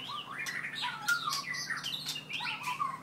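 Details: Four-year-old white-rumped shama with a 7.6-inch tail, a very aggressive captive bird from Merapoh, Pahang, singing varied slurred whistles that rise and fall between phrases, mixed with sharp clicks and scratchy notes, in a small room.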